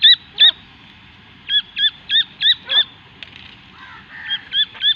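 Partridge chick giving high, thin peeps that drop sharply in pitch, repeated in quick bursts of two to five, over a faint low rumble.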